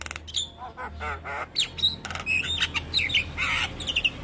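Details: Javan myna song recorded for teaching young mynas: mixed harsh squawks, scratchy rasping notes and short whistled slurs delivered in an irregular, chattering stream.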